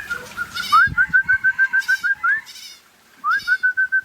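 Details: White-rumped shama of the Aceh type (murai Aceh) showing off its song style: a rising whistled slur, then a fast train of about a dozen clipped, even notes on one pitch, repeated after a pause, with harsh noisy bursts between.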